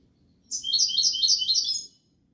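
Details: A single rapid run of bright, metallic twittered notes from a European goldfinch, Malaga style, lasting about one and a half seconds.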